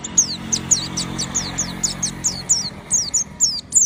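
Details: Nonstop oriental white-eye song, meant to make other white-eyes join in: a fast steady string of very high, thin descending notes, roughly three per second, above a low droning background.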